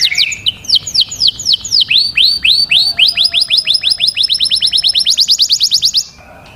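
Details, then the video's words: Canary singing, used to train young birds to sing: slow, high descending whistles speed up into a rapid run of curved chirps, then a fast, even high trill, ending abruptly. "تغريد كناري لتدريب الفراخ على الغناء"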